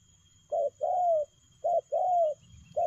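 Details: Spotted dove in the speedy 'lèo gù' cooing style: a short coo, then a longer slurred coo, the pattern repeated and starting again, against a quiet background.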